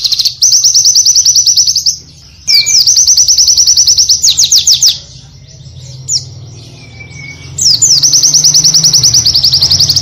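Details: Varied Oriental white-eye song made of long, rapid high trills, each lasting one to two seconds and separated by brief gaps, with a soft whistle and a faint low hum between phrases.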